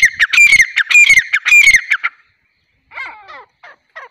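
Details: Female grey francolin calling: a loud burst of about a dozen harsh, ringing notes packed into two seconds, then after a short pause several softer, scratchy notes spaced apart.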